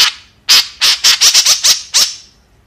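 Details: White-breasted woodswallow calling: eight harsh, broadband, squawking notes in about two seconds, loud and rasping, with short gaps between them and a quiet tail after the last note.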